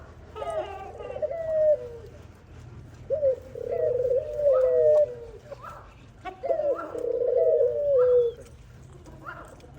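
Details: Dove mother feeding her baby: three low, rolling coos in about ten seconds, each a long, slightly wavering tone opening with a brief rise, with faint higher chirpy notes between phrases.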